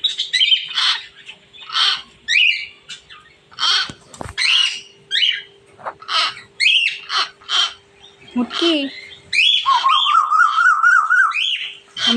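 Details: A pet talking myna copying a koel's call gives a rapid run of loud chirps, squawks and whistles, then a long wavering note, with a person's voice nearby.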